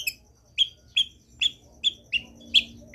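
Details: Long-tailed shrike in repetitive training song: short, bright downslurred chirps delivered every few tenths of a second, fairly soft, against a quiet background.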